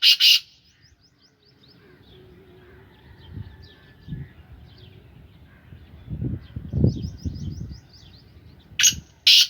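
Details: Captive Sindhi Gangas strain black francolin in its third calling season: two short harsh bursts open and close the recording, with faint high chirping from small birds and low rumbling noise between.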